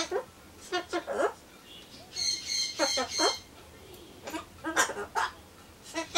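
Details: Captive Ducorps's cockatoo chatting alone before a pumpkin treat, mixing mimicked Japanese greetings with imitations of a rooster's crow and a bush warbler's song; scratchy, clipped syllables and one longer raspy stretch, fairly faint, with short gaps between.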